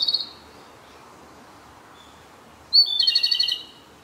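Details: A male Japanese robin, on the sixth and last day of a six-day stay at the site, sings close by in a dark spot: a clear high note breaking into a fast, ringing, horse-like trill under a second long.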